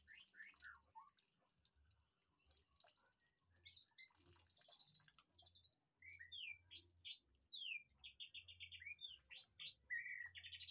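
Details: Caged white-rumped shama in a backyard aviary, varied song of sharp chirps, short whistles, slurred notes and buzzy trills in irregular bursts, starting quietly and growing louder, over steady low hum.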